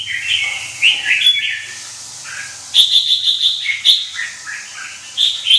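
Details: A white-winged red-whiskered bulbul sings in a heated state, mixing rich whistled warbles with a quick run of bright, evenly spaced high chips, then more rolling phrases.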